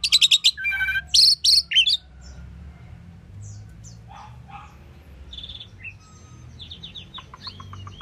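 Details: Asian pied starling singing and chirping: a burst of loud, harsh, buzzy stacked notes and scratchy chatter in the first two seconds, then quiet scattered whistles, short slurred notes and a brief rising trill.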